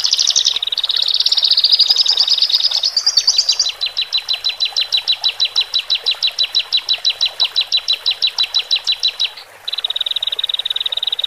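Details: Horsfield's bush lark pair, male and female, singing for newly separated caged birds to adapt. Buzzy high warbling gives way to a long steady series of quick repeated chirps, about three per second, ending in a level trill.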